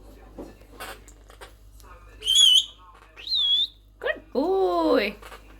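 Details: Pet monk parakeet, described as angry after its nest box was removed, giving harsh, loud squawks and a few clear whistled notes, rising and falling, with a person's voice and light indoor noise.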